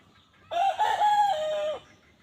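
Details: Wild red junglefowl crowing to draw hens in quickly: one loud crow of about 1.3 seconds, starting abruptly, holding a fairly level tone with a slight dip, then ending sharply against quiet background hiss.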